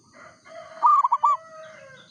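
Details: Perkutut, the local zebra dove, sings one bright cooing phrase of about four quick rolling notes, laid over a longer, softer drawn-out tone from another caller.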